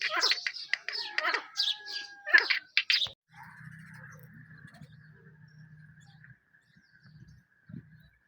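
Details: Grey francolin (teetar) calling: about three seconds of loud, harsh notes repeated rapidly in a dense burst. A steady low hum with a faint thin tone follows, and one short final note ends it.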